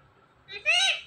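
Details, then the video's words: Pet parrot, one of two talking birds, repeats a word: a soft rising onset then a loud nasal syllable swelling and fading, harmonics strong, in a quiet indoor setting. "Two talking parrots have conservation"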